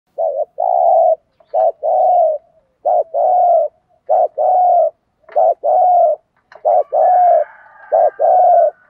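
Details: Decoy spotted dove calling in the urging 'thúc gù' style used to lure wild doves: low hollow coos in pairs, a short clipped note and then a longer rolling one, repeated steadily through the clip.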